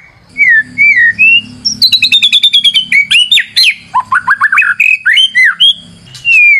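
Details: White-rumped shama song for luring: falling whistled notes, a rapid high stuttering rattle, then a lively mix of sweeping and slurred whistles.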